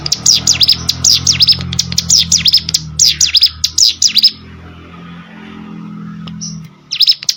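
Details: Ciblek sawah, a prinia, singing rapid runs of sharp V-shaped chirps, high and steady, about five per second, breaking off midway into a short quiet stretch before the chirping resumes near the end.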